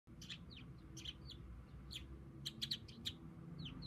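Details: A tame pet budgerigar, standing with one foot raised and seemingly addressing its owner, gives a run of short, sharp chirps and squeaky notes, some in quick pairs, over a low indoor hum.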